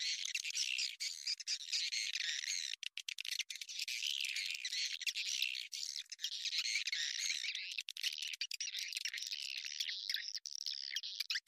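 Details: Swiftlet calls played as a lure to draw swiftlets into a bird house; dense, continuous high-pitched twittering and chirping with rapid overlapping notes, broken by a few brief gaps, running throughout.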